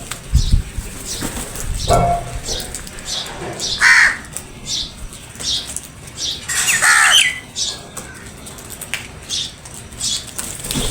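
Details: Crows fighting for food; repeated hoarse squawking caws, loudest around the middle, amid a noisy outdoor background.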